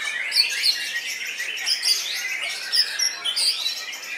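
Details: Caged white-rumped shama singing aggressively at a songbird contest, where it took first place in its session: dense, rapid high chirps and sharp whistled notes, with bright accents repeated every half second or so.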